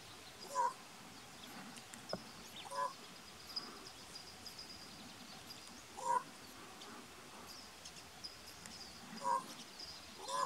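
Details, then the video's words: Common raven at Point Reyes National Seashore, 26 June 2016, giving five soft, hollow, croaking quork calls spaced unevenly a few seconds apart, over steady hiss and faint distant bird notes. "Common Raven soft "quork" calls"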